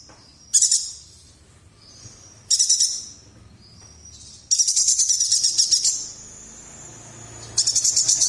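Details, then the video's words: Chestnut-crested yuhina from Kalimantan singing strongly: short bursts of high, dense, buzzy chattering notes, with thin whistled tones between them, the longest burst running about one and a half seconds. "Burung Cucak Jenggot Mini Nembak mantap ( Yuhina Kalimantan)"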